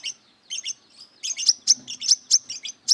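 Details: Aggressive brown-throated sunbird searching for rivals: a few soft double chips, then a run of loud, piercing high notes that grows steadily faster and stronger.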